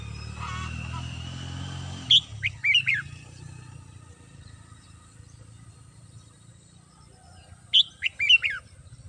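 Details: Caged red-whiskered bulbul singing in the morning: two short, loud warbled whistle phrases about six seconds apart, with a steady low hum and a thin whistle tone before the first.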